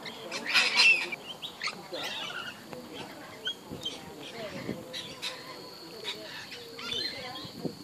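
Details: Lorikeets at Tamborine Mountain, New South Wales, Australia: a loud burst of harsh, high screeching early on, followed by scattered short squawks over steady background chatter of people talking.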